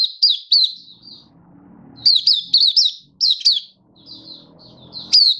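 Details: Happy song of a kept Malaysian white-eye in Singapore, 20 March 2023, warm sunny weather: clusters of two to four sharp high slurred chirps separated by quieter thin warbling, over a faint low background hum.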